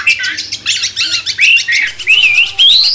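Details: Master song of a cucak cungkok bulbul, used to rouse a magpie-robin, with rapid chattering notes followed by clear, rising whistled slurs repeated several times.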